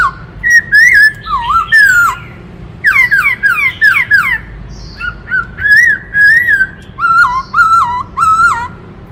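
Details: Varied many-voiced song of a black-throated laughingthrush: loud clear whistles and rapid downslurred phrases, alternating with fluty wavering notes in a near-continuous stream of bursts.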